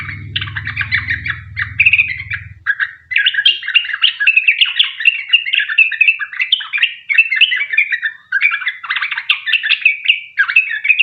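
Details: Lure recording of a Sooty-headed bulbul in lively, long-trilling song meant to make other bulbuls answer: continuous stream of jumbled, chirping and warbling phrases, with a low hum beneath the opening seconds.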